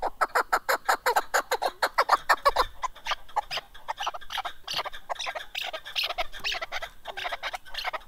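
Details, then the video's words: Chukar partridge (kaklik), fast regular clucking chuk notes for three seconds, then a looser, overlapping jumble of similar calls. "Голос Куропатка как поёт Горная Куропатка Кеклик"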